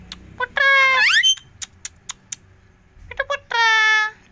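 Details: Indian parrots talking, repeating 'Mithu Miya Mithu': two loud, nasal, overtone-rich squawks, the first rising at its end, with a few soft clicks and taps between them.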